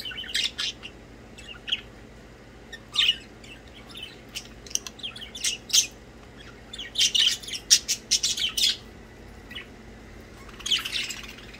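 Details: Budgerigars chirping while playing: busy, high, twittering chatter with scratchy squawks, coming in clusters, densest around the middle and another burst near the end.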